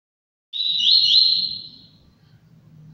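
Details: Double-collared seedeater, a bred bird from a breeding aviary: a single bright, high whistled phrase lasting about a second and a half, holding steady and then fading, with a faint low hum underneath.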